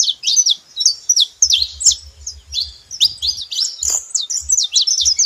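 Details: Several saffron finches singing at once, a rapid chatter of high, sharp notes and short downward slurs, with soft rhythmic low tapping in the background.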